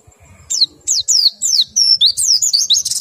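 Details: Caged white-eye in low breeding condition delivers a quick series of high, steeply falling whistled slurs, ending in a buzzy flourish.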